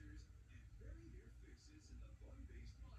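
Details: A 3-year-old female Congo African grey parrot, kept at home with two other parrots, talks in a low, speech-like voice, with short mumbled phrases over a steady low hum.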